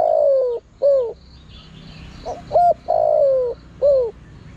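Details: Spotted dove calls played to lure wild birds: low mellow coos in two phrases, each a long note falling in pitch followed by a shorter bent coo, with a quiet thin high hum in the background.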